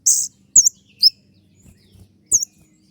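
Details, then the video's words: A few loud, very high piercing notes from a kolibri ninja sunbird in 'tembakan' song used for cage-bird training: a harsh burst, then two quick curved whistles, a pause and one more shrill note. "masteran kolibri ninja dengan full suara tembakan"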